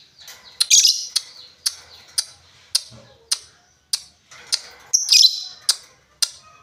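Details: Lovebird giving sharp, high chirps spaced roughly half a second apart, some with a brief buzzy smear, over a quiet background.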